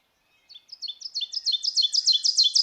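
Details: Ovenbird, a Kentucky warbler, sings a fast string of ringing two-syllable phrases, teacher-teacher-teacher, starting soft and swelling steadily louder to the end.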